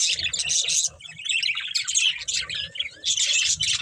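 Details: Breeding pair of budgerigars chirping: dense, scratchy warbled chatter in bursts of high twittering notes, with brief quieter gaps between phrases.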